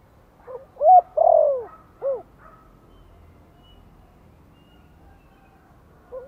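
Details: Spotted dove in Vietnam giving a gentle lure call in the Giọng Thổ voice style, used to rouse newly kept birds: a short coo, a loud long coo sliding downward, then a short closing coo, with a faint note at the end.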